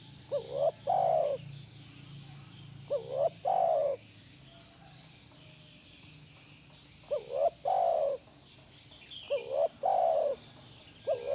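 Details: Spotted dove therapy playback to make a caged dove respond: five repeated phrases spaced irregularly, each a pair of quick upswept notes and a drawn-out mellow coo, with a gap of near quiet midway and a constant high whine.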